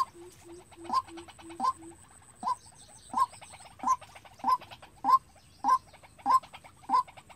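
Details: White-breasted waterhen decoy calling unprompted for trapping: a regular series of sharp, rising notes about every 0.6 seconds. Early on, a lower, soft repeated tone is mixed in.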